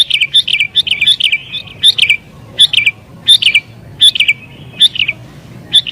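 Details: Agitated sooty-headed bulbul, sung to draw in wild birds: quick bright chirped phrases with falling ends, repeated at a lively irregular pace, low background hum.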